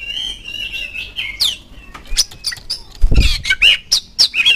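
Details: Magpie-robin lure song meant to prompt caged birds to reply: a rapid jumble of high chirps, squeaky whistles and slurred notes, broken by a single low thump midway.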